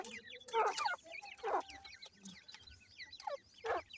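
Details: Grey francolin (Iranian teetar) chicks peep constantly in thin, high, downslurred cheeps, several overlapping, with three louder, harsher bursts of calling.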